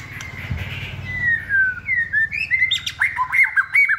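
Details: White-rumped shama in its second season, hand-raised and caged for singing contests. Drawn-out whistles slide downward, then give way to a quick series of crisp repeated notes over a low rumble.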